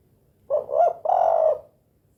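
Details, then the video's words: Spotted dove (tekukur) in kuk 2 style: two soft, husky coo notes, a shorter wavering one then a longer even one, over quiet background hum. "SUARA BURUNG TEKUKUR KUK 2 GACOR"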